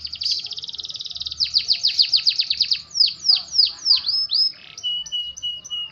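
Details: Canary song opening with a fast, rattling high trill, then a series of loud downward-sweeping whistles, ending in clipped repeated chips over a thin steady tone.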